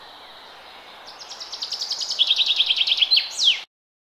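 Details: Bird singing in a forest: a rapid series of high, sharp notes, each one a quick downward slur, that grow louder and speed up into a trill and end in a brief rising flourish, over a steady background hiss.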